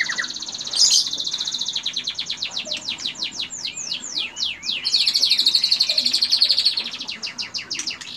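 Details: Caged white-rumped shama delivering long stretches of cililin-style imitation joined to canary phrases. Fast repeated sharp whistled sweeps alternate with sustained rattling rolls, and the song runs almost without pause.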